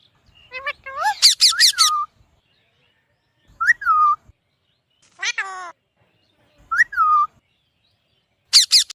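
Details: Alexandrine parakeet vocalising naturally: bursts of raspy, buzzy squawks mixed with rising-then-falling whistled notes, heard in separate phrases over nine seconds and broken by silences.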